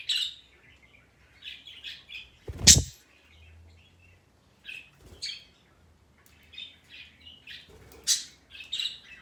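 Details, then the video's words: Pet parrot giving the long-running sound it makes today: soft, high chirpy twitters in loose runs, broken by a loud knock and a few sharp screeches, with faint low hum behind. "it’s too long he is making this sound today"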